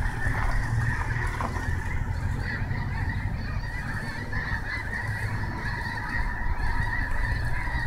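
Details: Snohomish snow geese in a big flock, their nasal honks overlapping into a steady babbling chorus, over strong low rumble that may be wind or distant traffic.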